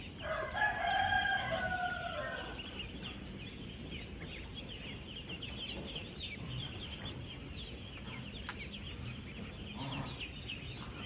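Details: Dense chorus of thousands of 10-day-old ducklings on a duck farm, moving, eating and drinking; continuous overlapping high peeps and chirps, with a louder whistled call near the start and low farm rumble beneath.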